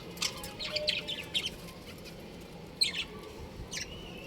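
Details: Two pet budgerigars of a breeding pair, heard as a quick cluster of high chirps early on, then two isolated sharp calls after a pause, over faint background hum.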